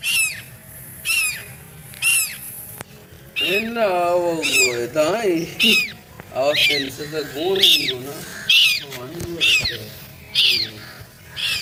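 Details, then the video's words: A scared duckling being chased toward people gives shrill, piercing peeps about once a second, each arching high then dropping, while people talk over the middle of it. "Baby duck scared and crying screaming"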